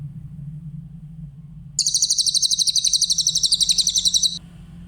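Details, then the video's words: Grey-headed canary-flycatcher with a clear voice, recorded as a master for training other songbirds: one high, thin, fast trill of evenly pulsed notes lasting about two and a half seconds, over a steady low hum. "Masteran burung cililin , suara jernih"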